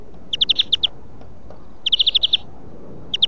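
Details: European greenfinch singing for song training: loud rapid trills of clear repeated notes in short runs of five to seven, with a gap of about a second between them.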